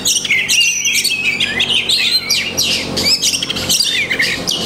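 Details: Oriental magpie-robin, locally kacer, from the songbird hobby, pouring out imitation-laden song: continuous high twittering, buzzy fragments and bright rising whistles with little pause.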